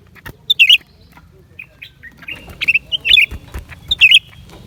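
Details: Lesser green leafbird singing, January 2023: a series of clear, chirpy, slightly slurred phrases, with brief thin whistles between them, over a background of sharp clicking and low rumble.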